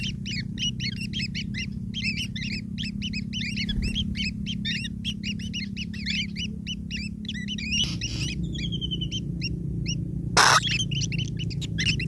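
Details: Begging chorus of long-tailed shrike chicks fed by a parent: rapid overlapping high squeaks, briefly thinning into a few descending whistled notes, with a sharp clatter near the end and a constant low hum.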